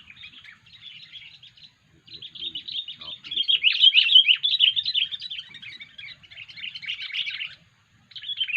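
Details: Odd-sounding sooty-headed bulbul call, used as a lure for the species: a long, fast, chattering twitter that swells in the middle, with brief pauses.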